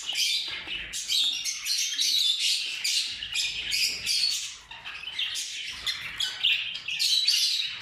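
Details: Rose-ringed parakeets of a purple lutino mutation, ring-necked birds, giving harsh, overlapping squawks and screeches almost without pause, several calls a second, bright and grating, with no other sounds noticeable.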